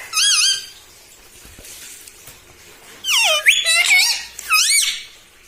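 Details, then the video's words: Talking parrot, pet bird said to say "mummy" and "mitthu mitthu": a wavering harmonic call, a pause, then a tumbling series of swooping, descending squawks and a final arched call. "TALKING PARROT - MITTHU MITTHU - MUMMY BOLNE WALA TOTA - मे तोता में तोता है मिट्ठू मिट्ठू"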